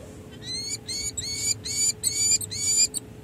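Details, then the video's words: Peregrine falcon pair bonding at a San Jose city hall nest site, July 2024: a series of high, thin, whining notes in even pulses, roughly two per second, with a faint steady tone beneath. "Hartley & Monty Enjoy Long & Well-Deserved Bonding Time"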